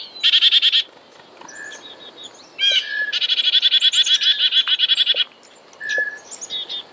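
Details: Black-capped chickadee giving harsh, buzzy rapid runs of repeated notes, rough bursts stuttering many times a second, mixed with a few short whistled notes.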